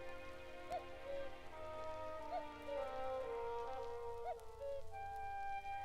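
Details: Orchestral music with sustained horn-like tones and layered melodic lines, plus a faint rain-like hiss underneath; no animal voices are heard.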